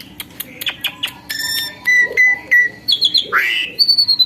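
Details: Tamed myna that used to be skittish, giving harsh rasping chatter, then steady flat whistled notes repeated about every quarter second, a downward-curving swoop and a high sustained whistle.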